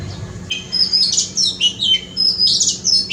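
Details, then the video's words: Oriental magpie-robin song from a front yard: clear, sweet whistles and quick slurred chirps, several notes per second in varied pitches, bright and high, over a faint low hum. "Amazing sound of Oriental magpie-robin (धोबिनी चरा) in my front yard!!"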